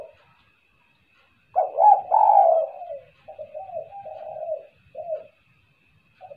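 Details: After a short silence a spotted dove gives two loud coos followed by softer wavering notes, a call played to lure birds, with a faint background hum.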